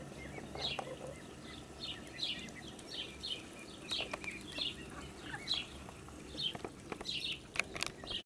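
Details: A blue Muscovy duck mother with her ducklings on a farm, 8 July 2017: thin, high duckling peeps repeated about every half second over a steady low hum, with a few sharp knocks near the end.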